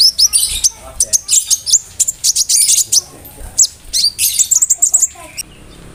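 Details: Konin bird delivering a dense mimicked song filled with cricket and other bird imitations, meant for tutoring songbirds; rapid high sharp chirps and buzzy bursts follow one another almost without pause.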